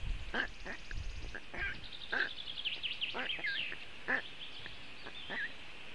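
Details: Black stork nestlings at a webcam nest in Latvia on a very hot June afternoon, calling for cooling: quick runs of short, nasal, harmonic yelps, with faint higher chirps from other birds in the background.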